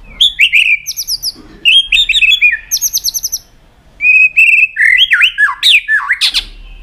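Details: White-rumped shama singing to train birds in many song types: whistled notes mixed with fast, high, trilled rattles, then warbled rising and falling whistles and a final sharp burst.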